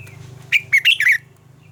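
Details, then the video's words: Red-whiskered bulbul, a mature wild bird, giving one brisk double-note morning phrase: four quick, bright, warbled notes in under a second over a constant low hum. "chào mào hót âm kép già rừng hay tuyệt!"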